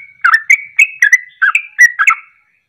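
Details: Short burst of sooty-headed bulbul ropelan song, a lure to get birds singing: seven bubbly, slurred whistled notes in quick succession over two seconds, then silence.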